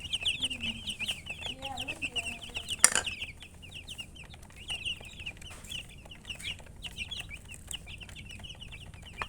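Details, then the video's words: A flock of baby chicks chirps in rapid, high, slurred peeps. Softer low calls sound early on, and a sharp knock comes near the three-second mark. "Baby "Chicks Chirping" Sound"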